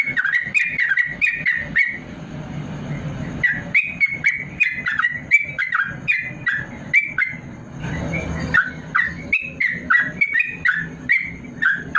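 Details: Yellow-vented bulbul singing long rapid bursts for tutoring idle caged bulbuls; quick bubbly, slurred notes in runs, broken by short pauses with a faint steady whine and low rumble, plus constant sharp clicks.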